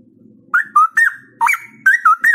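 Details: Straw-headed bulbul, a caged songbird kept in Indonesia, giving loud, rich whistled phrases in short bursts, each note looping and warbling around a steady pitch, five or six bursts separated by brief pauses, with a faint low hum behind.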